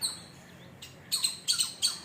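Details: A sparrow at a house, near a banana plant where a squirrel is also around, gives a quick run of bright, high chirps, several sharp notes in close succession.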